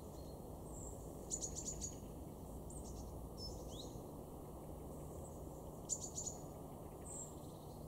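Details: Garden great tit in Weener, East Frisia, northwest Germany, recorded November 2022, giving two bursts of rapid, high, dry ticking notes several seconds apart, with a few thin chirps between and a constant low rumble beneath.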